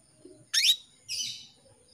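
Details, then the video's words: Female canary calling to a male, used as an Indonesian 'pancingan' lure to get male canaries singing quickly; two short, bright, high chirps half a second apart, the first sharp and downslurred, the second buzzier and softer, in a quiet background. "PANCINGAN KENARI BETINA MEMANGGIL JANTAN"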